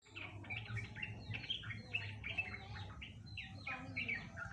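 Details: Yellow-vented bulbul giving a long ngeropel song likened to a straw-headed bulbul: quick bright chirped and warbled notes in short bursts, tumbling over one another almost without pause, over a steady low hum.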